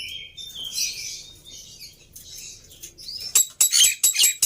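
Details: Black-winged myna lure song used to coax a silent myna into singing: thin, high whistles and airy rising notes, then a burst of loud, harsh, chattering notes in rapid succession.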